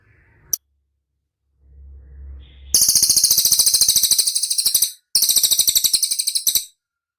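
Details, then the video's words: Cililin training recording for caged birds: a long, piercing, fast trill of evenly spaced notes lasting over two seconds, a brief break, then a second shorter trill, opening with a single sharp click. "SUARA CILILIN DIJAMIN CEPAT RESPON"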